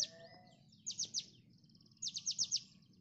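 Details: Konin song from a training recording: quiet bursts of four or five quick, high downslurred notes separated by thin sustained whistles, over a soft low background rumble.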